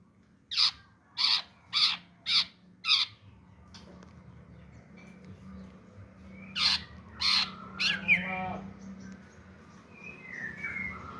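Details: Greater green leafbird singing as a bait call to provoke other birds to sing: five harsh, buzzy bursts about every 0.6 seconds, a pause, then more rasping notes and a few clear whistled phrases.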